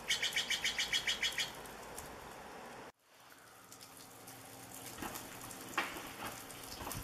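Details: Steller's jay in the Pacific Northwest giving a fast, harsh, scratchy run of about ten evenly spaced notes over a second and a half, then a sudden break into quiet outdoor background with faint scattered ticks.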